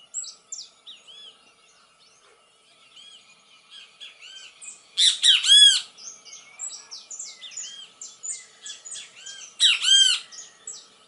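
Great kiskadee giving loud, harsh, arched calls in bursts near five and ten seconds, over a busy background of high chirps and twitters from other small birds.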